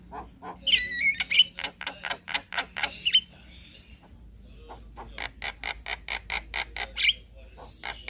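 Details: Javan myna chattering as a master recording for other birds: evenly spaced dry clicking pulses with occasional short whistles, continuing as a steady rattling series.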